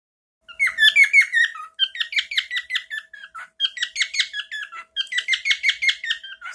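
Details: Male pet bird indoors giving one of his favourite chirps, which he sings often: rapid runs of short, sharp descending chirps, roughly three per second, in bursts separated by brief pauses.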